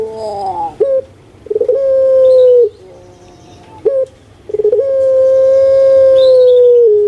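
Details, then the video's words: Caged puter pelung collared dove cooing as a lure for quiet birds: a wavering descending opener, then two long, even, hollow coos each lasting around one to two seconds, separated by short gurgles. "PUTER PELUNG YG MALAS BERBUNyi"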